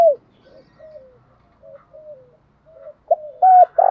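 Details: Spotted dove calling in the 'thổ đồng thúc dấu' style, from a compilation of decoy-bird voices: soft, faint low coos with gently falling ends for most of the clip, then three loud, clipped coo notes close together at the end.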